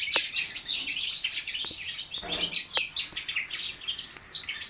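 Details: Young European goldfinch hybrids aged four months, 2012 season, pour out a rapid stream of bright chirps, buzzes and short trills, broken by a few sharp clicks and a soft rustle.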